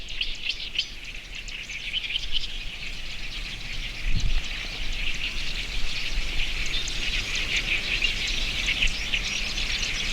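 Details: A distant marsh grassbird at Watarase retarding basin, Japan, in early May sings a fast, buzzy, jumbled chatter, recorded binaurally within a dense chorus of high chirping birds including great reed warblers, zitting cisticolas and bush warblers, with one low thump.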